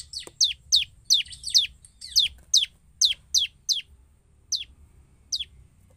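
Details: A Bar-winged prinia gives 'gacor' song as a lure for other prinias: a fast series of high downslurred chip notes, close together at first, then thinning out to single notes with longer gaps.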